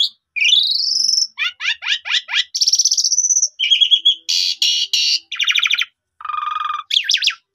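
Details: Asian pied starling lure song, played to build a caged bird's confidence so it sings its full repertoire: a rising whistle, a run of quick downslurred notes, a long buzzy whistle, then harsh rattling bursts and chattering phrases in rapid succession.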